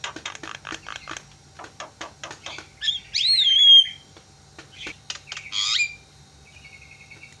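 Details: Javan myna call used to make other mynas call: soft ticking series, then a loud clear rising and falling whistle, a harsh note and a thin level whistled trill.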